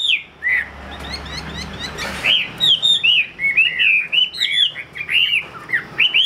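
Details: Caged Chinese hwamei offered for sale in Vietnam, singing loud clear whistled notes, arched and slurred up and down, in rapid repeated phrases with short pauses; faint low background rumble.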